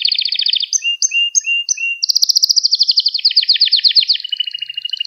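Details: Gloster canary in full song for stimulating other canaries: a fast double-pitched trill, rising slurred notes repeated about three times a second, then a loud rolling trill that drops lower at the end.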